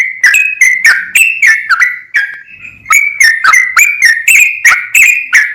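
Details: Lively sooty-headed bulbul singing full ropel: a fast run of bright, slurred whistles, some rising and some falling. A short softer break mid-way, then the quick notes resume.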